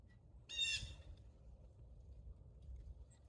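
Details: Black-capped chickadee, a nonmigratory songbird of North American deciduous and mixed forests, uttering one short harsh buzzy call lasting about half a second, followed by quiet low rumbling background.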